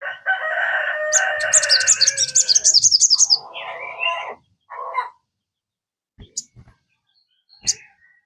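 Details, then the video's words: Sogon song used as a lure to get a kept sogon singing quickly: a buzzy harmonic note for about two seconds, then a fast high twittering trill, a lower burry phrase, and sharp clicks. "PANCINGAN SOGON. BIAR SOGON MU IKUT CEPAT RAJIN BUNYI"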